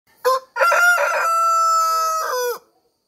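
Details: A village rooster in Nepal gives one full dawn crow: a short opening note, then a long, strained, level drawn-out cry that drops at the end, lasting about two seconds.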